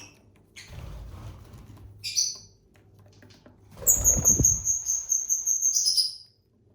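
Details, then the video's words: ['Captive pet lovebirds, one of a family of six, eating and singing; short scratchy chirps, then a long thin steady whistle held about two seconds, with low rustling and nibbling sounds underneath.'] "Bird sounds for lonely lovebirds (Eating, Singing & Chirping Sounds)"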